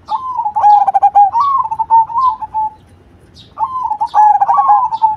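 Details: Cemani zebra dove singing loudly: a stammering series of cooing notes that runs into a long, wavering coo, about a second of quiet, then the same phrase begins again. Faint high chirps sound in the background.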